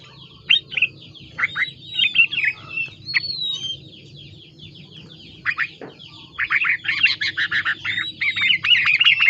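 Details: Yellow-vented bulbul song with phrases copied from the greater green leafbird: chattering, scratchy notes and quick falling whistles in bursts. A busier, denser run closes it.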